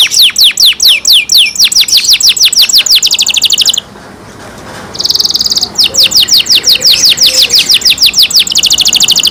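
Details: Loud pet canary song of rapid repeated sweeping notes and trills, broken by a short pause with a brief buzzy burst, then resuming with fast repeated notes.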